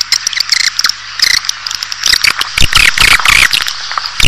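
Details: Swiftlet calls used to attract a colony into a building: scattered clicks and high chirps building into dense, harsh twittering with a few low thumps in the second half.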